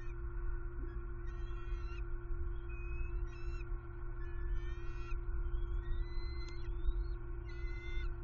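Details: Nestling bald eagles, hungry and in sibling conflict at a Southwest Florida nest on 6 February 2021; repeated whistled, harmonic calls in short bursts, some rising or wavering, spread through the clip above persistent low-pitched hum.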